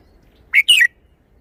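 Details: A red-whiskered bulbul shows off its song phrasing with a short chirp and then a rolling, warbled note that drops in pitch. The phrase is crisp and the surroundings are quiet.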